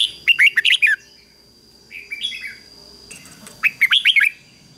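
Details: Red-whiskered bulbul kept as a decoy, singing to call wild birds in; a quick whistled phrase opens, a softer warbled fragment follows, then another rapid series of loud chirpy notes, with faint background noise.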